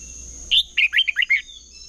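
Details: Red-whiskered bulbul in competitive singing, used as a lure to train and rouse other bulbuls: one quick phrase of five or six warbled, bouncing notes, over a faint steady high whine.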